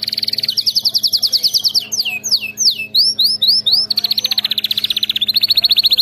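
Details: Canary song played to train other pet canaries to sing: loud, continuous high trills of rapidly repeated notes, broken by a burst of swooping slurred whistles, then more fast rolling trills, with a faint steady hum behind.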